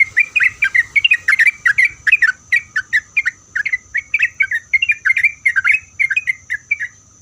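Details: Sooty-headed bulbul song meant to make other bulbuls answer: rapid bubbly chattering phrases of short warbled notes around mid-high pitch, about three notes per second, continuous for seven seconds, with faint low rumble beneath.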